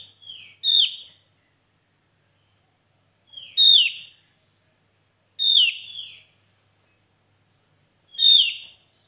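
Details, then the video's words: A Javan grey-throated white-eye in full, lively song, used as a lure call, gives four short, bright, chattering phrases, each sweeping down through a high pitch, spaced about two and a half seconds apart, with silence between. "Opior Jawa pancingan gacor"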